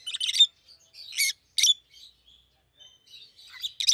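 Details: A pair of pet rosy-faced lovebirds, yellow and green, give loud raspy squawking chirps in bursts, with soft nasal chatter between and a harsh burst closing the sequence.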